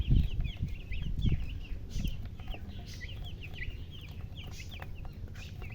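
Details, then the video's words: Baby chickens, several chicks, giving a dense stream of short, high, downslurred peeps in rapid succession, overlapping one another, over a low rumbling background with a few louder thumps early on. "Baby "Chicks Chirping""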